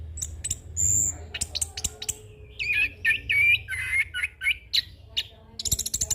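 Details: Orange-headed thrush, a young bird, singing a rolling song packed with varied elements for training and luring: sharp high notes, then a run of slurred, warbled whistles in the middle, ending in fast chattering trills over a faint hum.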